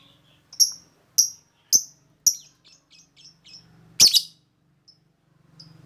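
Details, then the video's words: Lovebird lure sound: four evenly spaced piercing high tweets, then softer twittering notes and a loud harsh raspy chirp, over a faint low hum. "Mancing suara burung lovebird yang merdu"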